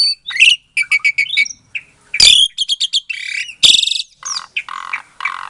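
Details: Asian pied starling, captive-bred in Klaten, Indonesia, February 2022, song to make silent starlings answer; loud varied phrases of repeated harsh chirps, rasping squawks and lower nasal notes in quick succession.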